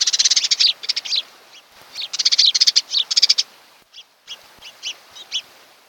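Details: At an osprey nest on Kent Island, Maryland, home to a pair that mate for life, nest camera audio from 8 July 2018 in late morning; rapid bursts of high, piping chirps in clustered runs with short pauses between them.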